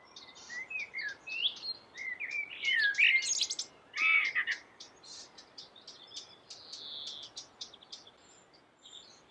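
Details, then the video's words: Melodious common blackbird song: a run of rich, slurred fluting phrases building to a loud warble, then trailing off into rapid, thin, scratchy high notes that fade away. "suara merdu common black bird"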